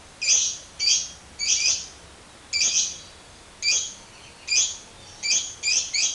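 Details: Lovebird giving a run of harsh, rasping high squawks, each lasting a fraction of a second and repeated irregularly, sometimes in close pairs.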